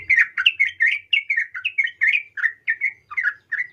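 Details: Calls of a female sooty-headed bulbul directed at a male: about fifteen bright, slurred chirps in steady succession, each dipping and rising, in an otherwise quiet setting.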